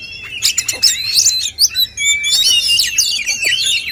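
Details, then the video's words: Short burst from rival male oriental magpie-robins: loud, piercing whistled notes and rapid chattering trills packed closely together, with a strong continuous phrase in the second half. "adu kicauan burung kacer jantan"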